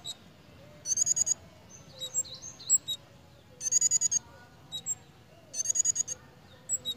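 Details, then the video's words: In breeding condition, a pied fantail repeats short, rapid bursts of piercing high notes three times, with scattered thin chips and faint squeaks between bursts. "BURUNG KEMADE / CIGEN SEDANG BIRAHI,LUCU JUGA TINGKAH DAN BUNYINYA"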